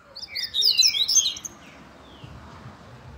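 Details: Seedeater giving a grego de Minas style song: a loud, dense burst of high, rapid slurred and twittering notes lasting about a second, then near silence.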